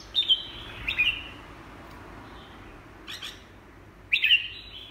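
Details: Red-whiskered bulbul giving three short, separated whistled phrases, each a quick slurred warble, spaced by a couple of seconds of quiet with a low steady hum beneath.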